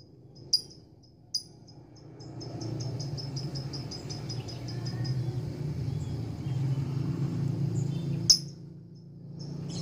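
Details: Lovebird, a female courting a male: a fast run of short, high, squeaky chirps in quick succession, bracketed by two sharp louder clicks, over a steady low hum.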